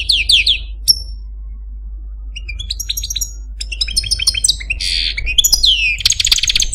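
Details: A pet male goldfinch of the Algerian Parva form gives a short trill and a lone whistle, then after a pause a rich run of twittering trills, slurred whistles and buzzy notes, against low hum.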